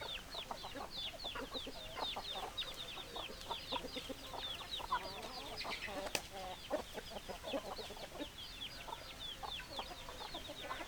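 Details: Chickens call continuously: a steady stream of high falling peeps layered over frequent short clucks, with one sharp click around the middle and many birds overlapping.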